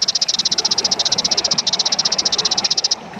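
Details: Kaso kaso bird used as a lure and training song: an extended high rattle of rapid, evenly spaced dry pulses lasting about three seconds before ending.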